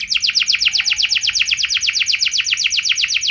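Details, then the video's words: Canary giving a long, steady, very rapid trill of identical sweeping notes, about ten a second, as part of a fancy long-burst lure song for prompting other canaries. "Pasti Nyaut Gacor Do00r Dengan Pancingan Kenari Cengkok Mewah Nembak Panjang Ini"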